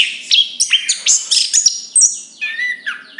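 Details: Chestnut-capped thrush song of clear whistled notes, some rising, others falling, interspersed with high chirps, delivered in short phrases separated by brief silences.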